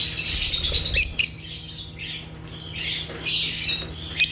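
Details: African lovebirds (Agapornis) chirp in high, squeaky notes, a busy flurry at the start, a quieter stretch, then fresh shrill bursts near the end, with a low electrical-sounding hum.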